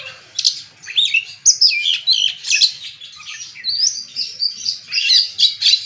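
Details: Singing kacer (Oriental magpie-robin) unloading its learned phrases: continuous fast high warbles, slurred whistles and chattering notes with little pause, other birds' calls mixed in behind.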